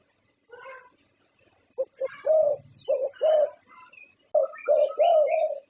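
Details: Zebra dove, a prize-winning Thai champion bird, giving its soft, rolling coos in short bursts of staccato notes, ending in longer, mellow trilled phrases; no other sounds stand out.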